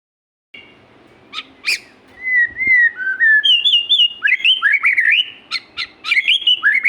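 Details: Magpie-robin singing vigorously: after a sharp click and short note, clear whistled phrases slide and warble, some rising, others falling, joined by quick sharp chips, in a rich, varied, continuous run.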